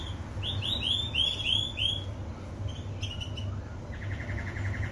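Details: Singing canary giving a fast series of loud, bright, upward-sweeping whistled notes, then softer chirps and a short rapid trill of repeated notes, over a low background hum.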